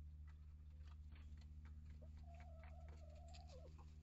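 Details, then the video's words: Coop flock of hens and chicks of breeds such as Black Copper Maran, Olive Egger and Leghorn; a single steady, slightly nasal tone held over a second with a dip at the end, amid strong low humming and clicking. "Chicken Coop Cam Live!"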